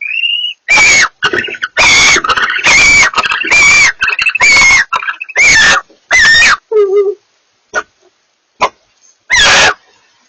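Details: Two barn owls communicating in a rapid run of rasping screeches, some overlapping or closely stacked, followed by a lower wavering note, scattered faint clicks and a final screech.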